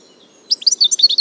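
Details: European goldfinch, known locally as arous al-turkman or taqtaq shouk, heard in nature: after half a second of quiet, a short burst of high, bright twittering notes follows in quick succession.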